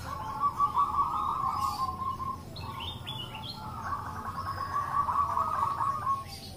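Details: Local zebra doves answering one another as a call lure: soft, continuous bubbling trills of cooing notes, with a few higher chirps from other birds in the background.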